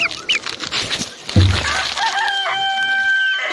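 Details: Rooster crowing: after a patch of mixed clucking and a low thump, a steady harmonic crow starts and holds its level pitch to the end.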